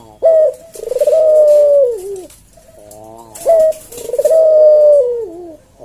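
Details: Puter jawa, a collared dove, singing its slow senggang coo used to train and stir other caged doves: two phrases, each a brief sharp opening note and a sustained, wavering coo that drops at its close.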